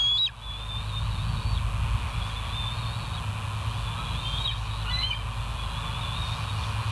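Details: West End bald eagle recorded by a live nature camera on 12 September 2023 at 04:28; thin, high whistled notes come in a few broken phrases with short squeaky breaks, above a continuous low background rumble.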